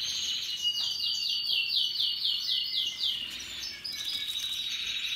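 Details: Russian yellow and Timbrado canaries singing happily: a bright, rapid trill of identical falling notes about four per second, then a shift into a lower rolling phrase and a high sustained warble.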